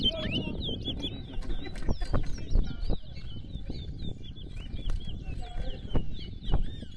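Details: Chestnut-bellied seed finch (towa towa) in a bird singing competition at Rosignol, Berbice, Guyana: a steady run of quick, chirpy whistled notes with twittering slides, over a loud low rumble of crowd noise and clicks.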